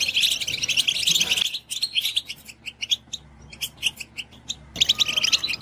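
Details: European goldfinch stimulation song: an opening burst of rich, rapid twittering, then a sparser passage of scattered sharp chirps and clicks, and a final renewed tinkling flourish.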